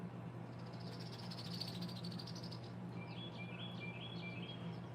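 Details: In a backyard with bird feeders facing woods, Northern Cardinals sing in the background: a short run of clear, slurred whistled notes, repeated quickly, over a steady low hum; faint high chirps come earlier.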